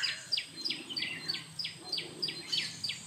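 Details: Jungle babbler calling while grooming, giving a rapid series of sharp, descending squeaky chirps, about three per second, over faint background hum.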